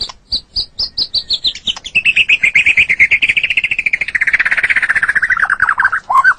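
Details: White-rumped shama song recorded for training caged birds: a long accelerating series of rapid pulsed notes, starting high and spaced, then sliding gradually lower into a fast trill over six seconds, ending with a short low phrase.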